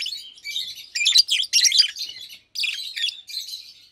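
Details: Two adult Fischer's lovebirds, almost two years old (one pastel green with orange face, one blue with white head), chatter by day in rapid, shrill, scratchy chirps and squeaky trills, in busy high bursts with short pauses.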